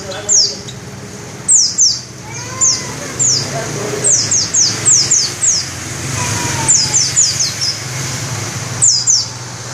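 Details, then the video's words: Pleci white-eye singing with open beak: many rapid high falling whistles in runs of three to five, mixed with softer lower warbled phrases, over low background noise. "Burung pleci dakun ngalas ngerol buka paruh volume semelit"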